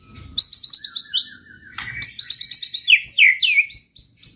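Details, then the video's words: White-rumped shama song used to provoke rival shamas: rapid series of sharp high chirps, a long thin whistle, then more chirp runs and loud downslurred whistles. "pancingan muraibatu gacor bikin murai lawan dengar AUTO EMOSI TINGGI"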